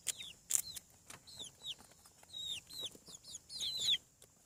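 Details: Farm chicks emerging from their eggs give a busy stream of high, downslurred peeps, some doubled, alongside a few light taps and flutters.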